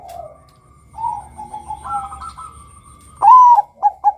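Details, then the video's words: Calling male zebra dove used to lure other males; soft wavering tones lead into a loud rising-falling coo and two brief coos after it. "PANGGILAN SUARA Perkutut BANGKOK Gacor Kutut Bangkok NEGEL MEMIKAT Suara PERKUTUT JANTAN agar BUNYI"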